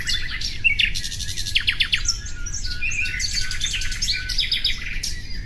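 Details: Common nightingale song: a few downslurred whistles, a quick run of sharp repeated notes, then varied rattles and long buzzy trills, over constant low background noise.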